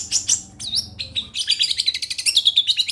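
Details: Long-tailed shrike from Situbondo singing two scratchy notes and a bent, whistled glide, then breaking into a rapid, rattling series of bright, high, tinny notes.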